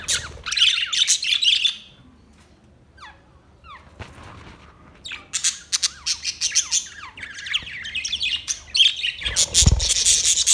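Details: White and green parrots in a colony, August 26, 2023: a cluster of raspy squawks, then a near-quiet stretch with a few faint squeaks, before another burst of many overlapping screeching calls.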